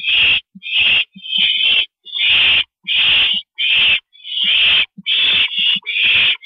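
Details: Owls at a nest box at night, with a parent visiting at 2:40 AM, April 22 2012: a quick series of short, harsh, hissing screeches, nearly one per second, uneven in length, with soft clicks between them.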